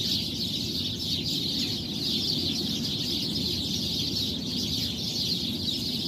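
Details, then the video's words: Many birds perched together in a tree, heard early in the morning while it is still dark, calling at once: a dense, continuous chatter of high chirps and twitters, over a steady low rumbling background noise. "napakadami mong nadidinig na huni ng mga ibon"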